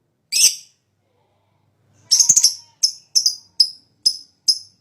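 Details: Fighter lovebird in high breeding condition, lure song: one harsh chirp, a pause, then a stuttering rattle and a string of short shrill chirps about twice per second.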